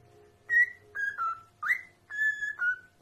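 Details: Pet parrot from a talking and singing parrot compilation, whistling six short notes in pairs, alternately higher and slightly lower, over a steady low electrical hum indoors.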